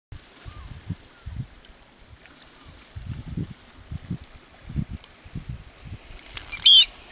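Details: A Eurasian Oystercatcher near Glenuig, recorded at close range, gives one loud, piercing high 'kleep' near the end, over soft knocking and thumping sounds, with a faint steady high hiss throughout.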